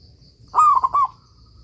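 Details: Single song phrase from a vocal local zebra dove, used as a master recording for training other doves: a smooth long coo breaking into three rapid soft notes, with a low background drone.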